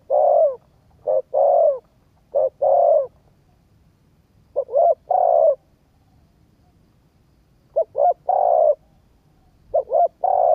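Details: Spotted dove cooing for stimulating a decoy bird; clusters of quick double coos leading into a longer coo, with long silent gaps between groups and a low background hum.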